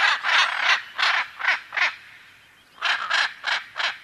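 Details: Macaw giving a run of five loud, grating squawks about a third of a second apart. A brief pause follows, then four more harsh squawks.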